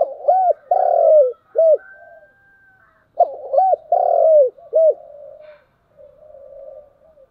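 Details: Spotted dove calling in the morning, two full phrases about three seconds apart, each of arched low coos around a long sustained coo, trailing into quiet murmurs.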